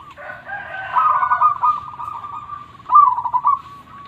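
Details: Local zebra dove in full song with a big voice. A harsh, buzzy, layered sound opens, then come rapid, trilled bubbling coos and a final short rippling phrase.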